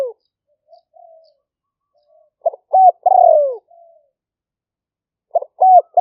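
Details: Spotted dove lure recording in the liu fueang style, made live in rainy-season rice paddies of Roi Et, Thailand, 2021: faint soft notes, then two phrases of stuttered short notes, an arched note and a drawn-out falling coo.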